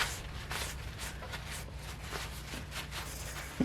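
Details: Soft shuffling footsteps and low hum in a small room, with no animal sound.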